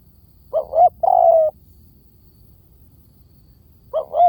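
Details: Decoy coo of a spotted dove: two brief swelling notes lead into a sustained low coo that slides slightly downward, with the phrase starting again near the end after a pause.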